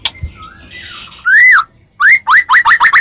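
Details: White-rumped shama of the Medan type singing a fighting lure meant to make other shamas answer: loud clear whistles arching up and down, then a fast series of rising slurred notes, heavily clipped.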